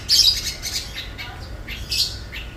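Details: Sapudi long-tailed shrike, ringed 421, imitating other birds such as parakeet, tengkek buto, sparrow and rio-rio: loud raspy squawks in short bursts with a pause, then two more harsh scratchy notes.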